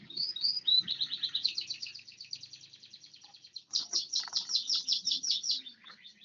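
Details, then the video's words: Bar-winged prinia, one year old, singing a rapid run of sharp high chips that runs into a slower series of stronger, evenly repeated notes, with faint low background noise. "burung ciblek 1tahun"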